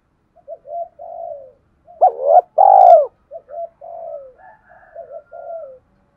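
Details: Spotted dove stimulating song for decoy birds: soft coos lead into a loud central phrase, a short quavering note and a long full coo, followed by more gentle coos trailing off.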